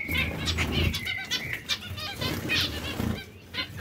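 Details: Zebra finch breeding pairs make thin nasal beeps and short buzzy calls over noticeable low rumbling and fluttering noise.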